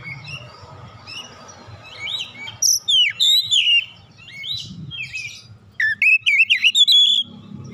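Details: Oriental magpie-robin (kacer), a raw bird provoked into singing strongly. Soft, scratchy twitters build into loud, looping whistles. After a brief pause, a rapid burst of sharp, wavering whistled notes follows, with faint low background rumble.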